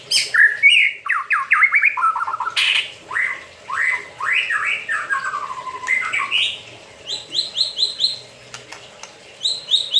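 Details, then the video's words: A caged white-rumped shama singing while it bathes: loud, varied phrases of descending slurred whistles, harsh squawky notes and clear repeated high whistles. "MURAI BATU MANDI KERAMBA TETAP BUNYI"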